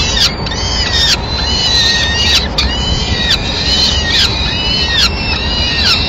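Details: At a Madrid peregrine falcon nest on 25 April 2016, the female brings a pigeon to the chicks and feeds them calmly. Dense, overlapping, rasping, downward-curving calls repeat rapidly throughout against a steady low hum.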